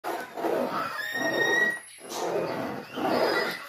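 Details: Pet cockatoo imitating chalkboard scraping noises: harsh, rasping screech bursts about a second long, repeated three times with brief pauses, with a thin whistled tone running beneath.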